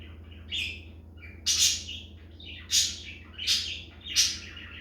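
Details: A pet budgerigar sings in the background in bursts of scratchy, high chirps and chatter, repeated about once a second, while a cockatiel adjusts its crop.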